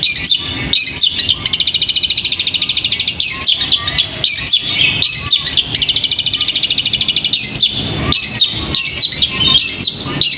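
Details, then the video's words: Competition bird kept in a cage, raised for singing contests, alternates sharp chirped phrases with long, rapid, buzzy trills of evenly repeated notes, the trills recurring several times over the stretch. "Peaceful Bird Chirping Sounds"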